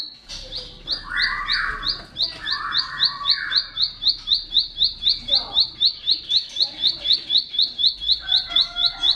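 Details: Song of a bar-winged prinia, used to tutor cage birds. A long rapid chain of identical high chirps, about four per second, runs under occasional lower buzzy phrases.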